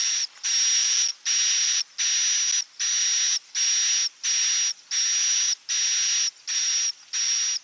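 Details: Swiftlet sound for attracting them to roost: evenly spaced hissing buzzes topped by a high steady whistle, each about half a second long and repeated regularly, roughly once every three-quarters of a second.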